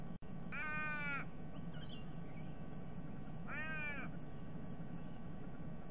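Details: Two long, strained, nasal raven cries about three seconds apart, each bending up and then down, over steady low noise. A raven family of three, with a fledgling begging for food, was raiding a sea-eagle's nest in December 2021.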